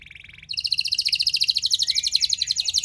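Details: Canary singing a lure song to make other canaries respond. A soft rapid trill gives way to a loud, very fast, even rattle of high notes with a faint lower tone underneath.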